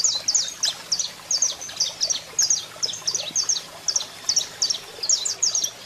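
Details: Saffron finch song, male singing with a female calling: steady series of clipped, high chirps in quick pairs and triplets, repeating without pause over faint hiss.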